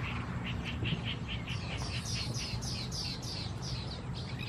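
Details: Red-wattled Lapwing (atronuchalis) recorded 28 August 2020 in Khao Yoi district, Phetchaburi, Thailand: a rapid series of about a dozen shrill, clipped notes that climb in pitch as the run goes on, set against a constant low hum.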